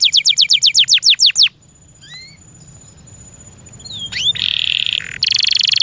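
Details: Pet canary song: a quick series of down-slurred whistles, a short pause with a few soft rising notes, then a flat buzzy tone and a rapid rolling trill.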